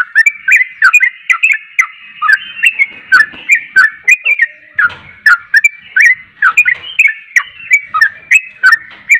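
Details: Persistent, lively song from a yellow-vented bulbul (trucuk): rapid chattering, liquid whistled notes in a continuous stream, each slurring downward, with a brief low rumble midway.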